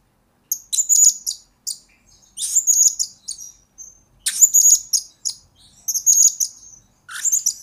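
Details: Blue-crowned hanging parrot, recorded as a lure and master song for training birds, pours out repeated bursts of shrill, very high rippling trills and chirps, roughly one burst every second and a half, with brief pauses.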